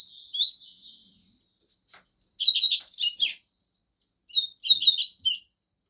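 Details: Two caged Double-collared Seedeaters (coleiros), one of the 'bico de aço' song type and one 'trem bala', singing against each other; bright warbled phrases of sliding whistles and rapid chips in three bursts separated by short pauses, otherwise quiet.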